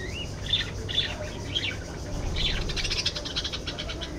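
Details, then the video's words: Budgerigars chirping: a few separate short high notes spaced about half a second apart, then a faster run of rapid clicking chirps, with steady low background noise throughout. "budgies bird"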